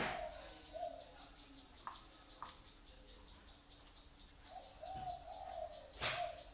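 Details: Kept zebra dove in Vietnam giving low, soft cooing phrases, a short burst at the start and a longer warbling run near the end, with faint clicks and background hiss between.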